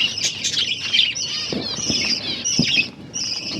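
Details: Finches kept in captivity, eating egg food on October 21, 2023, make continuous high chattering chirps layered over one another, with occasional soft knocks from feeding.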